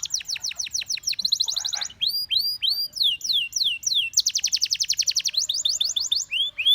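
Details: Canary singing rapid high trills broken by curving whistled notes, a fast even rattle, then more swooping whistles, with a faint low murmur underneath.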